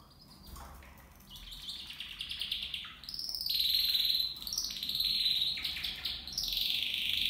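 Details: Copper mosaic canary singing in a flight cage shared by two males and two females: loud, fast rolling trills that step between pitches, growing stronger after a quieter opening.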